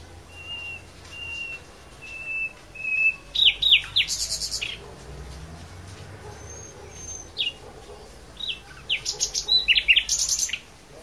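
A blackbird sings four clear, even whistles, then breaks into bursts of squeaky, twittering phrases with high scratchy notes. A faint low hum runs underneath.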